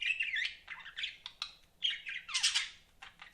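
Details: Budgies kept as pets give a busy run of chattering chirps, warbling and scratchy notes tumbling together with quick clicks and a few brighter squawky bursts, almost without pause.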